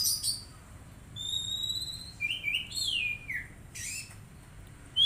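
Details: Caged untrained magpie-robin under daily care: a few long thin whistles, then slurred sweeping notes that glide downward, separated by brief quiet gaps over a soft low hum.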